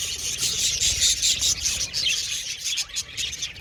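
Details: Aviary budgies calling together, quick squeaky chirps and rising warbled notes, loud at first and then thinning slightly near the end.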